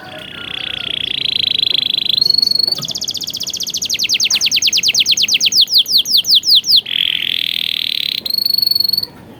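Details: Canary tutor song with rich phrasing: a rolling mid-pitched trill, a short high tour, then a long run of rapid downward-sweeping notes that slow toward the end, followed by another rolling trill and a high trill.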